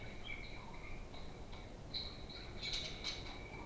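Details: Playful pet budgerigars at home give soft, wavering warbles through most of the stretch, ending in a pair of brighter, sharper chirps.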